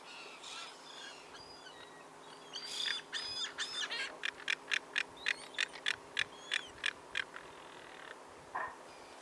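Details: A juvenile crested caracara feeding on whale remains in Chile in 2021 gives a dry, harsh rattle of about a dozen clipped notes, roughly two per second. Thin whistles from other birds come first.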